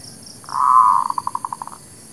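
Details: Local zebra dove lure sound for trapping and for new birds. A sustained, steady cooed note is followed by a run of about eleven quick, soft pulses that gradually space out and fade.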